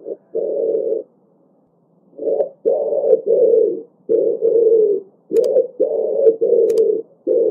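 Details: Pigeon cooing in low, hollow, throaty bursts, about ten phrases in quick runs with a brief pause near the start; faint clicks, no other birds.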